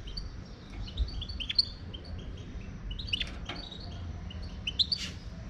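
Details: European goldfinch, a wild bird from Morocco, in song: quick liquid twitters and metallic chirps in loose clusters, a few notes sliding upward, with quiet gaps and steady low background hum.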